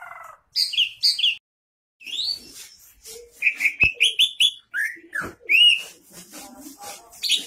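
Greater Green Leafbird singing a fast, varied run of clear whistles, rising slurs and sharp chirps, with brief pauses between phrases.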